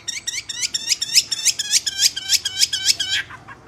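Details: Myna calling with rapid, harsh chirping notes repeated about four times a second for three seconds, then stopping.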